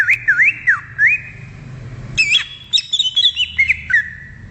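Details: Wild greater green leafbird song with looping, wavering whistles, a brief gap, then a sharp burst of high chattering notes sliding into a steady whistled tone.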